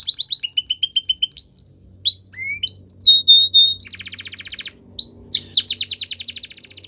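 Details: Belgian canary training song with quick repeated high notes, sliding whistles rising in steps, a long steady whistle, then a dense buzzy trill and fast repeated sweeps.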